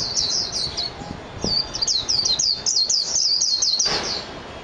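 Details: High, twittering song of a Japanese white-eye (mejiro): dense runs of quick falling whistled notes, briefly paused near one second, then resuming strongly until about four seconds.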